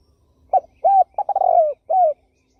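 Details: One cooing phrase from a turtle dove: a brief soft note, a rounded coo, a stuttering run of short notes merging into a long downward-sliding coo, then a final falling coo. Faint low background hum.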